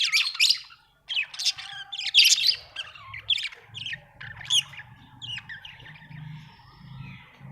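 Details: Budgerigar, called happy, chirping in loud scratchy bursts early on, then quieter scattered squeaks over a steady low hum.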